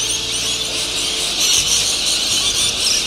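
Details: Rainbow lorikeets, introduced escapees, gather at sunset to roost in Norfolk Island pines at Cottesloe beach, Perth, in a dense, continuous chorus of shrill, rasping screeches that grows noisier as the sun sets, with a faint low hum underneath.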